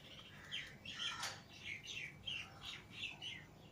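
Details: Several pet lovebirds, a green Fischer's pair and a lutino pair, out of their cage together indoors, giving a quick run of sharp, squeaky chirps and short squawks in an uneven stream, with faint room noise beneath.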